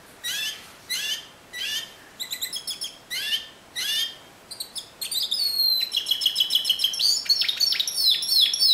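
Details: Discontinuous Timbrado canary song. Separate short chirped phrases repeat about once a second, then give way to a continuous, quick metallic trill with bell-like rolled notes rising in pitch toward the end.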